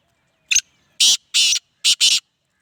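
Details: Black francolin calling: a short harsh opening note, then four loud, grating, rasping bursts in quick succession, the last two closely paired, over a quiet background.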